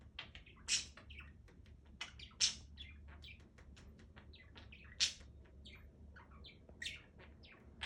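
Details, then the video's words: Budgerigar kept as a pet, giving busy, continuous chatter of quick high chirps, clicks and warbled notes, with a few louder sharp chirps standing out against a faint background hum. "Work Distractions"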